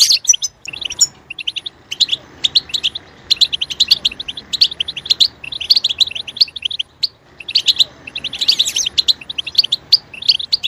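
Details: A European goldfinch sings a fast, bright, tinkling twitter of short high notes in bursts, with brief pauses between phrases.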